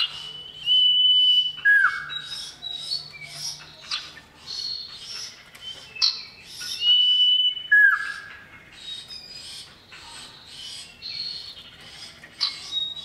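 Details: Common iora male calls to a female, used to draw replies from other ioras: long clear whistles dropping into low slurred notes, repeated after pauses, among busy high chirping and a faint low hum.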